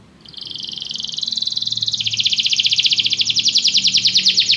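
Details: A canary sings a song used to encourage a pet canary to sing. A buzzy high trill steps down in pitch partway through and turns into a loud, rapid, pulsing roll that builds steadily.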